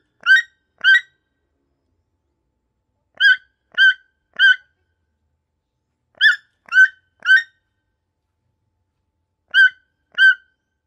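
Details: Big colourful toucan sitting calmly in the Amazon, calling in little bursts of two or three raspy, nasal croaks separated by pauses of a couple of seconds; quiet surroundings otherwise.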